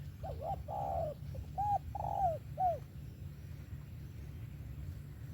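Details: Cooing spotted dove, 'về tàng kèm 123' song style: a rapid double coo, a long falling note, then three more clipped and drawn-out coos in about two seconds, followed by low rumbling background noise only.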